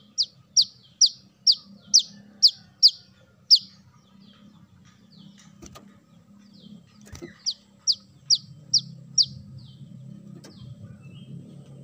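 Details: Brown-throated sunbird, known as korlap or kolibri kelapa, sounded as a bird lure: a burst of shrill descending chips, a pause filled with low rumbling and clicks, then a second shorter run of chips.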